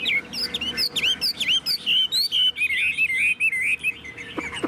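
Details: Confident Chinese hwamei singing in its carried cage, tail fanned: bright whistled notes that swoop down and up, given in a rapid, fairly even series of separate phrases against a quiet background.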